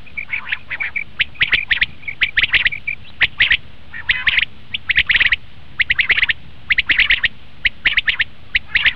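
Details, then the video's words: Common quail call for attracting quail when hunting: rapid, loud, chipping notes in dense bursts of three or four, repeating steadily over nine seconds against a low steady hiss. "batair ki awaz"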